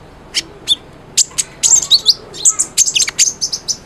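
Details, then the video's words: Cinereous tit, a lively singer used as a tutor recording to coax a silent bird into singing: sharp, very high chirps and quick downward-slurred whistles in uneven bursts, growing denser toward the end. "MASTERAN KONIN GACOR, SANGAT AMPUH BUAT PANCINGAN BUNYI KONIN YANG BISU"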